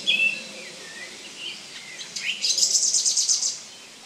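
Song Thrush song: a few clear whistled notes, then a fast, high, chattering trill of about a dozen notes lasting a second.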